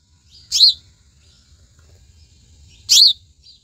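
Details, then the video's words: Calling house sparrow giving two loud, harsh chirps about two and a half seconds apart, each short and high, with near silence between them. "Sparrow bird Sound"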